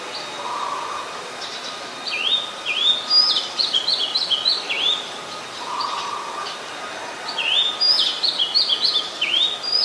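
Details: Oriental magpie-robin, a very common resident, in Ubon Ratchathani, Thailand, on 7 January 2021, recorded with a Nikon P1000. It gives bright whistled phrases of sliding, rising and falling notes in two bursts, with a steady thin tone underneath.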